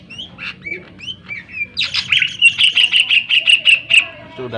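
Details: Greater green leafbird singing to provoke other birds: scattered soft whistles and chips, then a loud, fast rattling series of harsh repeated notes lasting about two seconds.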